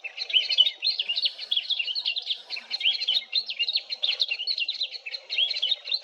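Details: Swamp grass babbler, a rare bird; a continuous high jumble of quick warbled and twisted notes, rising and falling without pause, over a faint low murmur.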